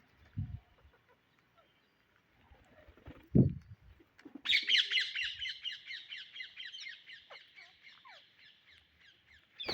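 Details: Indian ringneck parrots searching for seeds: a few knocks and thumps, then a long continuous stream of fast harsh chattering notes for several seconds, gradually softening, ending in a loud thud.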